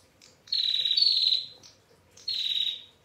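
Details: Female Bar-winged prinia giving its long ngetir call with a clear voice: two buzzy, rasping bursts around one second and half a second long, holding a steady high pitch, with soft chips in between.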